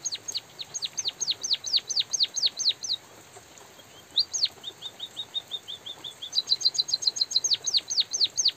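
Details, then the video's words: Lively white-headed munia calling in light drizzle: repeated high, downsweeping chirps in long bouts, broken by a softer run of short even notes. A brisk burst of rapid tweets and more slurred chirps follow. "suara burung emprit pipit bondol kaji gacor jeda natural dan suara hujan"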